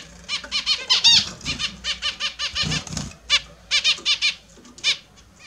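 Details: Caged Australian zebra finches calling while taking their morning bath, a dense run of short nasal beeping notes, some overlapping, with soft splashing and wing flutters underneath.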